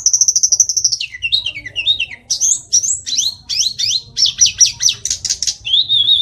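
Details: Mountain tledekan singing a long varied song, opening with a sustained high whistle, then rapid chirping, rising and falling notes and a short steady whistle at the end.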